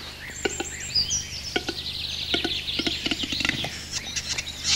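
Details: Male western capercaillie in mating-season display parade in the Orobie Valtellinesi park, Italy: sharp, irregular dry clicks with a hissing, scraping rush of high notes, and faint chirps from small birds behind.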